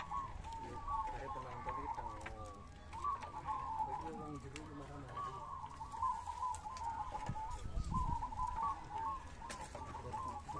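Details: Several zebra doves sing at a perkutut song contest in Ngawi, 18 September 2022: overlapping, soft, rapid trilled coos, repeated continuously with no gaps, against faint background voices and low rumble.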